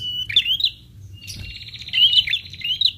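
A prinia gives high, buzzy trilled phrases in three bursts, the last long and wavering, over a faint low hum.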